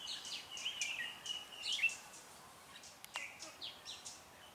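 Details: Red-whiskered bulbul decoy singing during trapping of wild birds on 16 January 2017 in Vietnam; short bright whistled notes and slurred phrases at mid-high pitch, several overlapping, with faint background noise and a sharp click near the third second.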